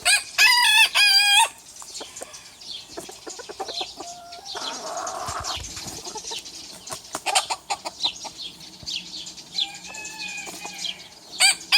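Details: Roosters challenging each other, a small one against a big one: a brief harmonic crow burst at the start, then low clucks, scuffling and scattered clicks, with another faint crow rising near the end.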